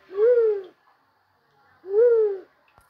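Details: White-headed fruit dove song, recorded in a hunting setting. Two deep, hollow hooting coos, each about half a second long, swell then sag slightly in pitch and come about 1.8 seconds apart against a quiet background.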